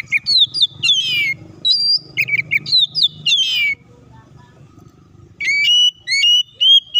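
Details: Oriental magpie-robin (kacer) in full song as a lure to get other birds singing: rapid descending whistled and buzzy notes in bursts, a pause of about two seconds, then clear level whistles resume.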